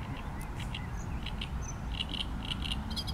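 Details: Typical song of a great reed warbler, a chain of grating, chattering notes repeated rapidly throughout, some harsher and some thinner, against constant low-pitched background noise.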